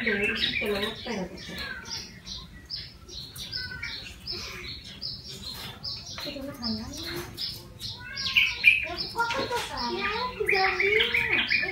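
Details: Yellow-vented bulbul caught from the wild and kept caged for a month, now tame and vocal, delivering a rapid run of chirpy, bubbling notes and whistled slurs, with faint voices in the background.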